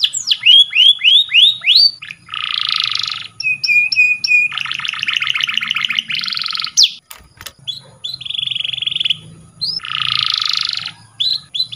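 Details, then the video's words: Canary song for training: quick descending whistles, buzzy rolled blocks, a flat held tone and rapid trills, broken by a brief click-like noise midway. "Canary Singing _Canary's most powerful song for training"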